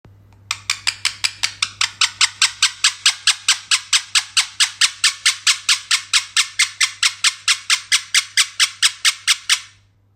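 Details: Pet parrot making strange sounds: a long, steady series of harsh, broadband squawks, about four a second and evenly spaced, lasting some nine seconds, over a low steady hum.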